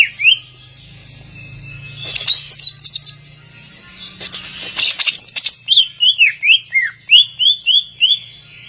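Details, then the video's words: Greater green leafbird, a competition champion, singing: a bright whistled opening, then scratchy bursts, followed by a run of clear, slurred whistles that dip and rise, repeated about twice a second, over a low background hum. "Burung cucak ijo Halilintar juara Umum"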